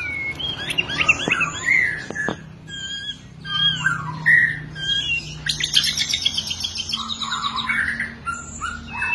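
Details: Caged white-rumped shama fighting song for training other birds: varied, energetic phrases of clear whistles, sharp rising and falling notes, harsh chatters and high trills, delivered continuously with little pause over a faint background hum.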